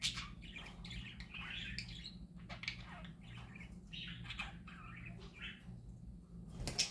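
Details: Cheerful parakeet song from pet birds: rapid twittering warbles and gurgling chirps mixed with clicks and a sharp burst at the end, over a faint low hum.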